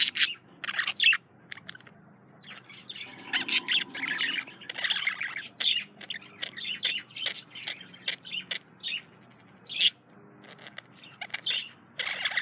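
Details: Courting male budgie singing to a female, a run of rapid clicks and chirps in uneven bursts, scratchy warbled phrases and sharp ticks, over a steady faint high tone and low background hum.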